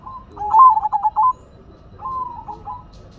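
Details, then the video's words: Hobby-kept zebra dove of the Silver type singing: a loud cluster of rapid, bubbling coos, a pause, then a quieter, smooth drawn-out coo. "Perkutut Silver Gacor Suara Asyik Unik dan Antik"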